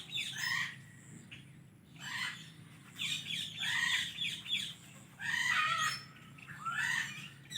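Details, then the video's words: Indian ringneck parrot giving rough, scratchy chirps in repeated bursts about every second or two, some notes sliding downward, over a soft background hiss and low rumble. "Indian Ringneck Parrot Chirping Sounds"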